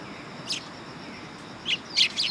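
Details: Sparrows coming to a perching stand at a Tenmangu shrine, 3 September 2022: one chirp, a pause, then three quick, bright chirps close together.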